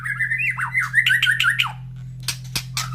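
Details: White-rumped shama in a cage near breeding cages of other birds, fed that morning: a rapid warbled whistle phrase wavering up and down, then a few harsh clicks and a brief whistle over a low hum.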